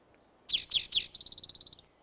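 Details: Spotted towhee (Pipilo maculatus) song: three sharp, buzzy introductory notes, then a fast, ringing trill of about fourteen higher notes.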